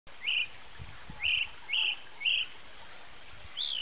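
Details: A disturbed Roadside Hawk (Rupornis magnirostris) gives five short, high, slightly harsh calls, roughly one every half second to second, while a thin, steady insect-like whine runs throughout.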